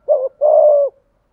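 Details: Single spotted dove phrase, 'giọng thổ' style 'thúc gù' cooing: a short rounded hoot followed by a longer, steady, low-pitched coo lasting about half a second.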